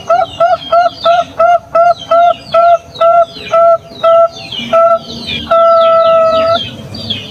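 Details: Zebra dove lure cooing, used to prompt other zebra doves to answer: a steady run of about a dozen short, even notes, near three per second, ending in one long held coo, with small birds chirping behind.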